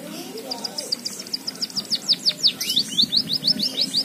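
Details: Java sparrow, a kept songbird trained to sing a canary-style fill, delivering a rapid series of high, thin, downslurred whistled notes, about three per second, growing louder toward the end over a faint low background hum.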